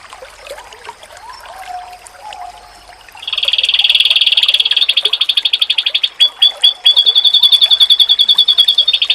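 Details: About three seconds of quiet low whistling, then a dense, buzzy, very rapid high trill bursts in from an oriental white-eye, later breaking into spaced notes and a renewed trill; a masteran said to make rival white-eyes answer.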